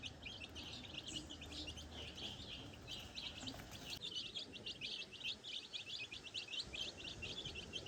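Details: Young chickens learning to find food alone in farm grass, unguided by the hen; continuous high, clipped peeps from many birds, rapid and irregular, over a light wash of outdoor noise.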